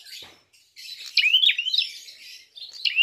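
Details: A prinia gives a lively fighting song used as a lure, with sharp, high chirps and quick sweeping twitters, bursting into rapid loud phrases after a faint opening chatter.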